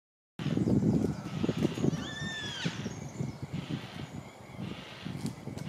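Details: Yellow-tailed black cockatoos sighted at Tamar Island Wetlands, Launceston, Tasmania, Australia; one drawn-out, wailing, harmonic call that rises and then falls, lasting about a second, over constant rumbling wind noise.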